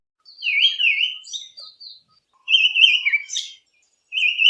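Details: Olive Thrush, a garden bird of the Eastern Cape, South Africa, giving clear, fluty whistled phrases that rise and fall, each about a second long and repeated every couple of seconds, with no other sounds.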